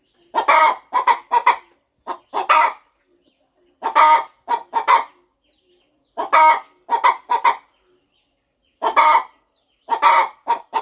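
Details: A nesting farm hen getting ready to hatch her eggs makes soft repeated clucks in clusters of three to five, separated by pauses of about a second.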